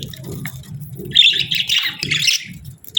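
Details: During breeding season, a budgie pair gives a short run of high, rapid, scratchy chirps in the middle and a sharp chirp at the end, over repeated low soft thumping sounds.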